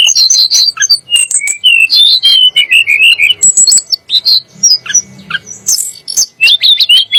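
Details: Song of a Sunda blue robin, used to anger magpie-robins and shamas: a fast run of warbled notes and a wavering whistled trill, then sharp high chips and clear rising whistles.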